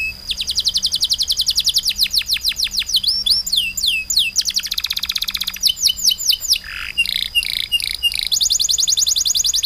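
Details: Loud canary song sustained without pause: long rapid trills of repeated falling notes, shifting into buzzy chattering phrases and sharp whistled notes, then another fast even trill, with a faint low hum beneath.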